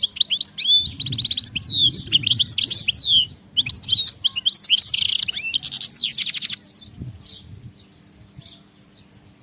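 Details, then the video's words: Wild European goldfinch in full song: rapid high twittering phrases with liquid trills and buzzy rolls, two long bursts separated by a brief pause, ending in soft scattered notes, with low rumbling in the background. "HD video singing carduelis"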